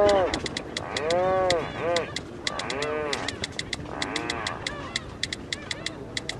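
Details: Rhinoceros auklet at sea off Korea's East Sea gives low, groaning, moo-like calls rising and falling in short bouts about every one and a half seconds, with sharp ticking clicks throughout.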